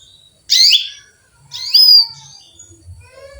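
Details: Female canary calling to a male with two loud, scratchy falling chirps about one second apart, the second ending in a short whistled tail, then quiet.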